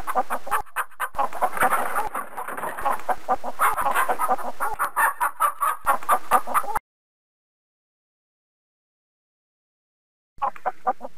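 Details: Chickens clucking in rapid, busy bursts of short low clucks with overlapping birds for about seven seconds, then silence before the clucking resumes.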